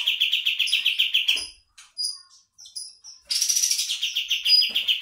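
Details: Bulbul, called kapas tembak, used as a lure to attract birds: rapid series of bright chirping notes repeated steadily, broken by a short pause with thin high whistles, then a louder burst of quick, harsh chattering notes.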